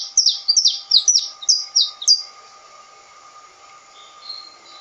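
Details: Canário-da-terra, the saffron finch, delivering a quick burst of about ten bright, descending high chirps in just over two seconds, then falling quiet apart from one faint thin note; a constant low electrical hum persists.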